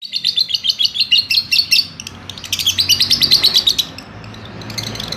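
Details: Lovebird ngekek chatter in two bursts of quick, shrill, buzzy notes separated by a short pause, with a soft hiss underneath.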